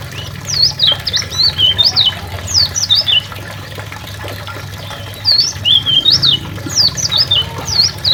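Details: Champion kecial lombok and kecial karimun white-eyes sing for songbird training: two lively bursts of rapid, thin, zigzagging whistles separated by a quiet pause of about two seconds, with steady low hum throughout.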